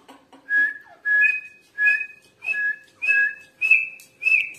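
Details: Female grey francolin, recorded 29 November 2022, repeating a rhythmic series of loud whistled notes about every 0.6 seconds, each paired with a short falling lower slur, the pitch stepping slightly higher as the series continues.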